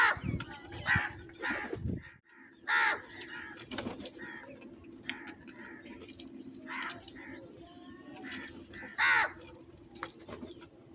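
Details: A large gathering of crows: scattered harsh caws from several birds near and far, a loud burst of noise at the start, and a steady low hum throughout.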